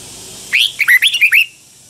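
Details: Red-whiskered bulbul, a Pa La-u bird from Thailand, singing in the doubled 'phleng boen' song style: one brisk phrase of about six bright, slurred whistled notes, swooping up and down within roughly one second, then quiet.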